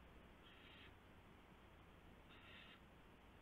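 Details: Owl at the nest in the night of March 24, 2016, around 1:00 AM, with a gopher brought as prey. Two faint, breathy hissing bursts, almost two seconds apart, over steady background hiss.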